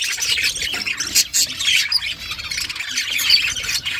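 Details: Mother budgerigar feeding chicks, with steady rasping high chirps and brief sharper squawks rising out of the chatter.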